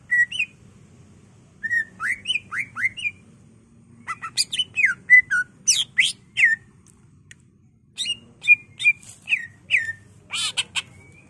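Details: Singing greater green leafbird kept to train and lure other birds: bursts of clear whistled notes and rising slurs, then a busier stretch of sharp chips and downslurred whistles, separated by short pauses over a faint low hum.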